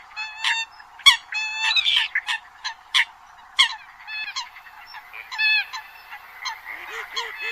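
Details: Spaced nasal honks from Eurasian coots, each with a clear stacked harmonic tone, over a soft hiss. A few faint low bubbling notes come near the end.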